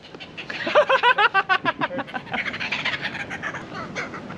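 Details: Trained kookaburra at Croc World laughing after flying from its enclosure to a keeper: a fast run of rhythmic, throaty chuckling notes that builds, then trails into softer chatter, with people talking and laughing nearby.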